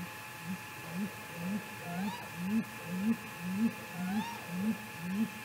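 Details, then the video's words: Night vocals from a great grey owl at Mission Valley in mid-May 2018, perhaps during a confrontation; steady deep hoots about twice per second building slightly in loudness, two higher sweeping whoops mixed in, faint clicks and steady background hum. "Great Gray Owl MVMT Vocals in the Night"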